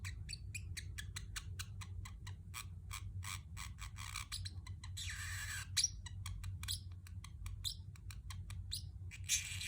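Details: Pet Pacific parrotlet in a steady stream of short, dry chirps with a brief rough squawk midway, accompanied by a continuous low hum.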